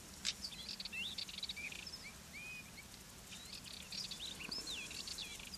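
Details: Wild European goldfinch singing while perched on fennel where it comes to feed, Garraf Massif, Catalonia: a continuous tinkling twitter of quick, high, slurred and buzzy notes, rising and falling, with faint background hiss throughout.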